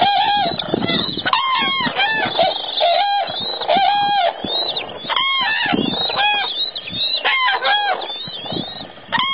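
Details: A flock of common cranes in Spain gives loud, rolling trumpet calls, many birds bugling over one another in a constant, overlapping chorus.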